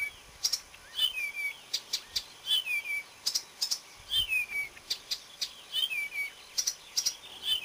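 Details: Marsh warbler singing on 30 May 2010: a varied run of sharp clicks and ticks mixed with short whistled phrases that slide downward, delivered in quick irregular bursts.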